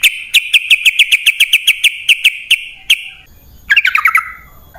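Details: Sooty-headed bulbul lure song: a steady series of sharp chirps, about four a second, over a thin continuous high tone, then a short tumbling run of falling notes.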